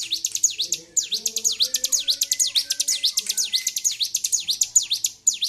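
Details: Excited bar-winged prinia in continuous 'ngedur' singing, 26 February 2023. It repeats rapid dipping-and-rising high notes in a steady string, with a soft lower whistle in the background.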